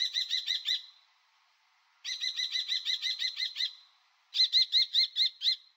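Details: Common kestrel, European and Jura bird recording: repeated volleys of high, strident kee-kee-kee calls, roughly five, ten and six notes per volley, delivered fast and evenly with brief pauses between. Nothing else audible.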